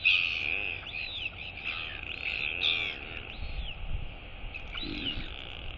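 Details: Royal albatross chick wheeing at feeding while its mother feeds it, then following her as she leaves to forage at sea; series of high arched whistled notes, several per second, over a low rumbling background.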